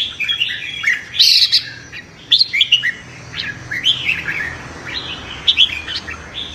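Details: Caged red-whiskered bulbul, competitive morning song: strong whistled phrases with bright high accents, repeated every second or so, varied and rolling, with short gaps between bursts.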